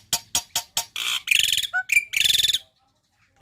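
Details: Black-winged myna tutor song for young birds to mimic: four evenly spaced harsh clicks, then a dense buzzy scratchy phrase and a short clear whistle before silence.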